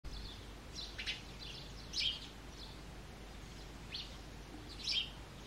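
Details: A male house sparrow sings and chirps close up in early morning, short bright chirps in loose clusters about one every second, over a steady hiss of outdoor background noise.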